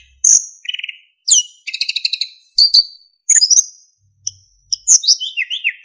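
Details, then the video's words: Narcissus flycatcher tutor song with fill-in phrases and flute-like notes: a sharp high whistle, a buzzy trill, dense rattling notes, then quick high slurs falling in pitch. "MASTERAN BURUNG SIKATAN EMAS GACOR FULL ISIAN & SULINGAN JERNIH"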